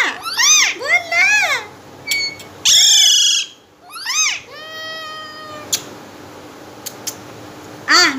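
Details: Pet green parrot talking in Hindi/Urdu indoors, a run of high, nasal, speech-like syllables that bend up and down in quick bursts, with short gaps and a final squawky word.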